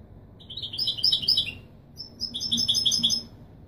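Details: European goldfinch singing in the authentic Wīdānī Marrakchi style to tutor young birds: two bright phrases of quick, high, silvery twitters divided by a short pause, with faint low background noise.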